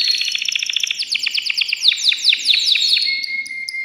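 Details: Agitated male canary in a cage singing to excite a female for mating: rapid rolling trills of sharp repeated notes, sweeping down then up, ending on a thin steady whistle.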